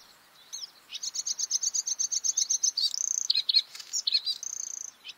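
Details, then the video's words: A Bluethroat (Luscinia svecica) sings a fast run of about twenty ringing, evenly spaced metallic notes, then shifts to buzzy, scratchy phrases and a sustained high trill. "Bluethroat (Luscinia svecica) song"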